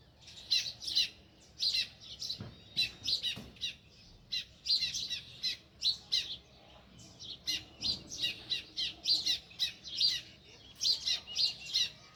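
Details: Sparrow chirping near its nest in a village; clear, evenly spaced chirps come in quick pairs and runs, about two to three per second, over a quiet background.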